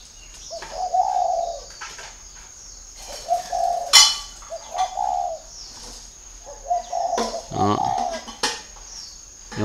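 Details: Spotted dove kept as a decoy bird and let out for training, giving soft low hooting coos in short phrases with pauses between. Sharp clicks and taps cut through, and a steady high hum runs throughout.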